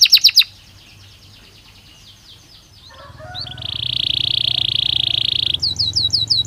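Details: Belgian canary singing naturally: a brief high trill, near quiet, then a loud sustained buzzy high note over a low hum, followed by quick downward-slurred whistles.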